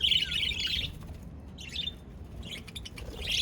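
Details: Budgies chirping, recorded 22 January 2024: a thin, steady whistled chirp at the start, then softer scattered tweets and chatter separated by quiet gaps, with faint low hum beneath.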